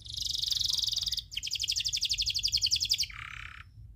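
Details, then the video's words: Local canary, loper type, in a tutor song known for long rolls: a continuous high buzzy trill, a brief break, then a pulsing rattling roll and a lower buzzy ending. "Masteran kenari loper ngerol panjang"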